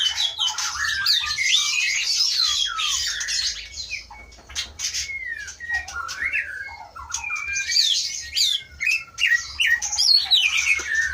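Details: White-rumped shama from Aceh, caught in 2012 in Pining forest in the Leuser mountains and kept in a captive breeding cage since 2017: rich, varied song of loud whistles, rapid trills and sliding notes, with a brief quieter dip midway.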